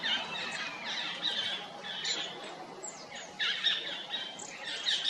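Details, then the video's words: Stripe-throated yuhina perched on a tree in forest at Jabberkhet, Mussoorie: bright, high chirps and squeaky notes come in loose bursts, some rising or falling, with faint forest hiss behind. "Stripe-throated Yuhina Perched on Tree | Beautiful Forest Chirping Sounds"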